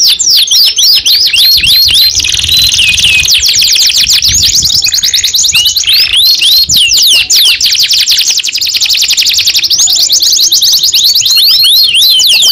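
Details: A young canary sings a long continuous run of rapid trills and looping whistled sweeps, dense and high, rolling on without a pause for over twelve seconds.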